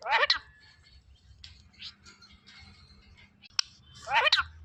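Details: A pet talking Indian ringneck parakeet says a short, shrill, rasping word near the start and again near the end, with quieter chatter and indoor room sounds between.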